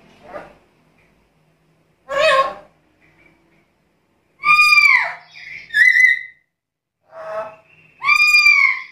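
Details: Black-capped lory, described as very vocal and chatty, recorded for use as a lure and training model for other birds. Loud arching harmonic squawks alternate with harsher buzzy bursts, in irregular sequence roughly every second, in a quiet indoor space.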